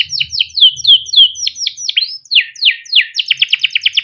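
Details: Kept canary singing long chirping song used to stimulate other canaries: slow series of downward-sliding whistles about three per second, then a quick rattling trill near the end.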